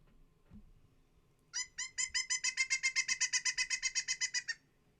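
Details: A pileated woodpecker, an eastern woodland bird, gives a loud, laughing series of about eighteen ringing, evenly spaced notes, roughly six per second, over a faint low rumble.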